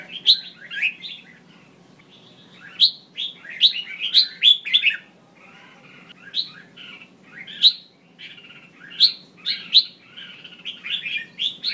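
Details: Calls of a female red-whiskered bulbul meant to set males singing: a quiet start, then bursts of quick, sharp, warbling chirps in several groups over twelve seconds, soft hum underneath.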